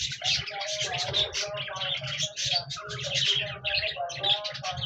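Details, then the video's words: Budgerigars singing on 26 January 2024, a rich mix of bright chirps, squeaky whistles and lower tonal notes woven into a constant chattering warble, with faint low rumbling beneath. "Budgies Birds Singing Chirping Sounds Parakeets sounds"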